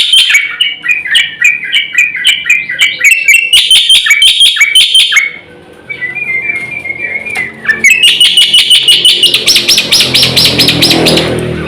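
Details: Caged black-winged myna singing energetically for training other birds: fast harsh chattering bursts, a pause with a thin drawn-out whistle, then dense scratchy, buzzy phrases resuming with some background rustle.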